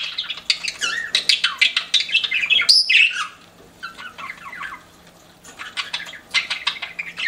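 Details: Chirping pet budgies: fast, repeated scratchy warbles for about three seconds, then quieter scattered chirps and a fresh burst of chatter at the end.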